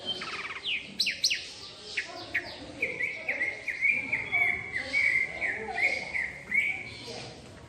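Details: Asian pied myna singing in full, lively voice from a tree. Varied whistles and sharp swooping notes open the phrase, then a series of bright clipped whistled notes repeats steadily about twice a second, with faint background noise.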